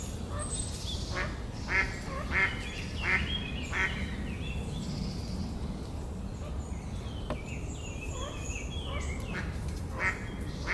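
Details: Male and female Mallards calling: a series of harsh, nasal quacking notes repeated roughly every second or so, rising and fading over steady loud background noise, with some thin higher chirps mixed in.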